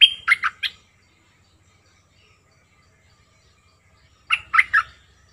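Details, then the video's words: Bulbul call used to lure wild birds: a quick bubbly phrase of three or four warbled notes, then a long silence before the same chortling phrase repeats. "Suara pikat merbah lekir"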